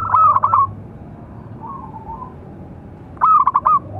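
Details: Local zebra dove with an exceptional big voice, calling to train and lure other doves: two loud rolling coo trills, one at the start and one near the end, with a faint coo between them.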